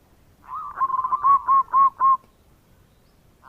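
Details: Local zebra dove singing bekur song as a lure. A short burst of rolling notes leads into five or six loud, evenly spaced hooked coos, then silence.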